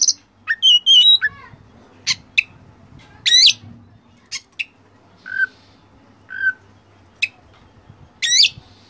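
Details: Lavish kacer training song, Oriental magpie-robin, meant to excite caged males: slurred whistles opening, then widely spaced sharp clicks, buzzy bursts and short steady whistles every second or so over soft hum.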